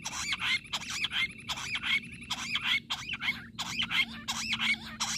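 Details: Wild jungle bush quail, recorded during hunting, calling in a lively chorus: sharp, chirpy notes repeated over and over in quick, uneven bursts, overlapping like several birds together, over a low background rumble.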